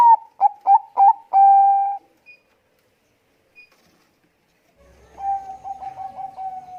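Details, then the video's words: Bangkok-type zebra dove with a thick voice calling: a series of short, clipped low coos followed by a long, steady hooting note, then after a pause a softer run of quick, stuttering coos. "perkutut bangkok gacor suara tebal memanggil bunyi."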